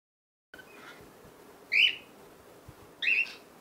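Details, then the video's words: Baby cockatiel at play gives two loud, short chirps about a second apart, with quiet background in between. "Baby Cockatiel playing time #1"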